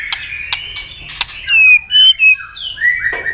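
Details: White-rumped shama giving a fighting song to provoke a rival: clear whistled notes around mid-high pitch, several loud rising and falling phrases after a second of quieter chatter, with sharp clicks early on.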